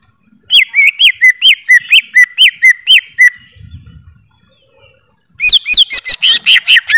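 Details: Greater green leafbird sings a steady series of looping, up-and-down whistles, about two per second, pauses briefly with a soft low thump, then resumes with a richer, faster chattering phrase.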